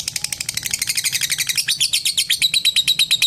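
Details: Lovebird's ngekek trill aimed at a rival: a hurried, scratchy run of high chattering notes that becomes clearer and more ringing halfway through, keeping a quick, regular beat.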